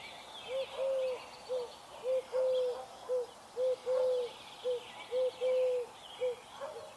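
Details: A dove cooing at dawn: soft, low, hollow coos in a steady run of short and drawn-out notes, about two per second, over a faint hiss of background noise.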